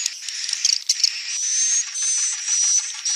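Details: Swiftlet calls played to entice birds to build nests: a steady high buzzy twitter with a long drawn-out thin whistle running through, punctuated by a few sharp chirps.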